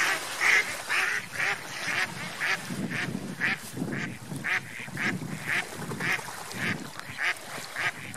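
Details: Ducks swimming on lake water, flying and playing; steady series of nasal quacks, roughly two per second, with soft low splashing and water noise between calls.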